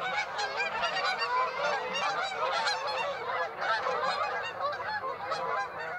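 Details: Flock of Canada geese at Birds Hill on 26 September, honking constantly in overlapping, harsh nasal calls that merge into a dense, continuous chorus.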